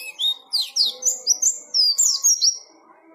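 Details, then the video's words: White-eye singing ngalas style, a short phrase of high rising and falling slurred notes run together into a warbling ribbon, then quiet with faint background hum. "KICAUAN BURUNG PLECI GACOR NGALAS"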